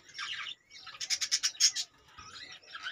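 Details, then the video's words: Budgerigars kept in cages give a scratchy warble, then a rapid series of about six bright, evenly spaced chirps, before the squeaky chatter resumes. "budgies birds cages"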